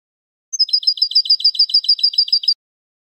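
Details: Song of a European goldfinch: a thin high whistle, then a quick, regular trill-like series of about twelve sharp, metallic, two-tone notes over two seconds, bright and clear against silence.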